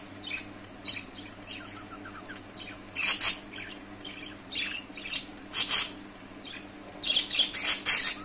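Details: Budgerigars chattering: quiet scattered chirps and warbles, broken by loud, harsh, high-pitched bursts of squawky chirping near the third, sixth and eighth seconds, with a steady low hum underneath.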